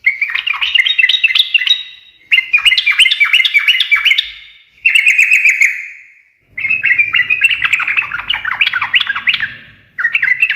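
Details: Gacor sooty-headed bulbul in ngekek garuda style, which brings answers from other birds: four long bursts of rapid, bubbling, repeated notes separated by brief pauses, with faint low rumble in the last part.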